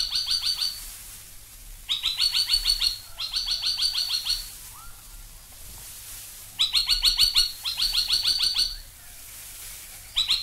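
Spine-tailed Logrunner giving loud, high, rapid bursts of sharp repeated notes, each burst under a second, with pauses between. A faint low rumble sits underneath.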